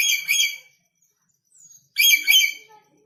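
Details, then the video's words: Two loud grating screeches with a pause between them, from a newly arrived red lory out of North Maluku that is still aggressive; faint soft notes in the gap. "MASIH GALAK ‼️BURUNG NURI KEPALA MERAH BARU DATANG DARI MALUT"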